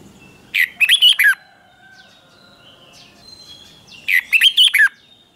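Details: Doubled song style of a caged red-whiskered bulbul, for teaching young birds: a brief rising note leading into a quick warbled phrase, repeated once about three and a half seconds later.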